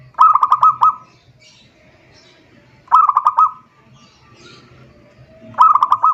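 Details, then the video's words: A zebra dove calls a rival, heard as a lure. Three phrases of rapid, stuttering, mellow coos come about every two and a half seconds. Each phrase is under a second and steady in pitch. "suara perkutut memanggil lawan"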